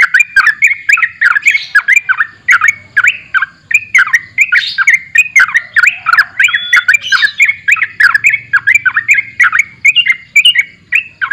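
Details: Long, unbroken gacor borak barik song of a sooty-headed bulbul: loud, rhythmic chortles with downward-then-upward slurs, rattled off about three times a second with occasional higher squeaky notes mixed in.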